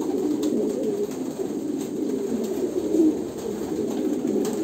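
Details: Low, soft cooing from pigeons in Kolkata, India, a continuous murmur with a few slightly louder coo phrases near the three-second mark.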